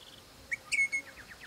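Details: Crimson Rosella of a pair calling their young on a property: a short upslurred whistle, then a longer, level, bell-like whistle and a brief follow-up note, with faint insect buzzing behind.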